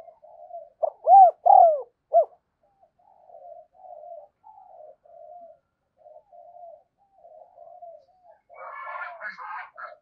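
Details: Spotted dove used as a decoy to call wild doves in. Three loud arched coos early on, then a long run of soft low coos, ending in a burst of harsher, buzzier notes.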